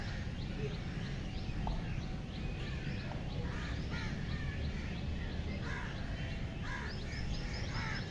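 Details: Many cranes call at once, a dense chorus of rolling, croaking trumpet notes rising and falling, growing louder in the last seconds, above continuous low-pitched rumbling background noise.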